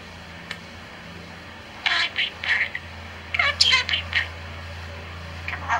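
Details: A four-year-old male talking budgerigar recites nursery rhymes in a thin, scratchy, high-pitched voice, rattling off two quick runs of words over a steady low hum.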